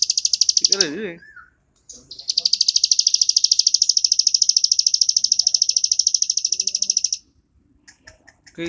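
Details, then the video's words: Plain prinia in ngebren style, a master song for training birds: a short burst of rapid high buzzy notes, a brief lower wavering sound, then one long unbroken trill of fast repeated notes lasting about five seconds. "ciblek sawah ngebren cocok buat masteran"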